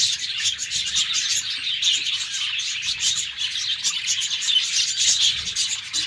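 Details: Morning chatter from a cage of budgerigars: dense, overlapping squeaky chirps and trilled warbles from many birds, steady and unbroken throughout.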